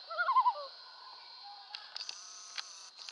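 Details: Common loons on Swains Lake on 27 August 2014, heard from a kayak while fishing: a short, wavering, quavering call in the opening second, followed by a steady background hum and scattered clicks.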